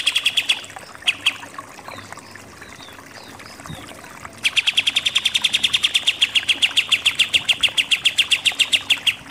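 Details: Pied triller, known locally as kapas tembak, giving its 'super nembak-nembak' song: a short trill opens, then after a quiet spell a long, even burst of rapid clipped notes runs for about five seconds.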